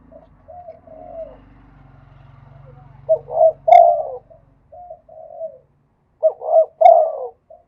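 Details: Spotted dove cooing in the 'khat' and 'nun' song styles: two phrases, each with soft lead-in coos followed by three loud, rounded, throaty notes, with a faint low hum underneath at the start.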